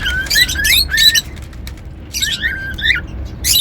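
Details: Whistling pet cockatiel giving short rising whistles bundled with harsh, high chirping bursts, in two bouts separated by a quiet pause.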